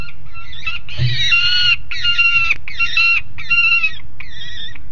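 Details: A noisy juvenile peregrine falcon on a grating at Alphen aan de Rijn, Netherlands, 30 July 2016 at 12:30, gives harsh, raspy screeches, five in a row about one per second, over a low rumble of wind.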